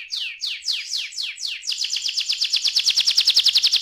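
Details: Young canary sings several slow, falling whistled sweeps, then switches to a quick, even trill of crisp notes that continues to the end.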